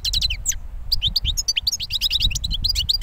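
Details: European goldfinch recently out of moult, a year-old bird, giving quick bright chirps and twittering notes in a continuous lively stream over faint low rumble.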